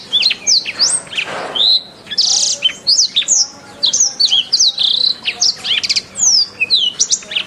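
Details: Canary song for training cage birds: sharp, high slurred whistles and short rattling trills delivered rapidly and continuously, with a brief noisy rush near the start.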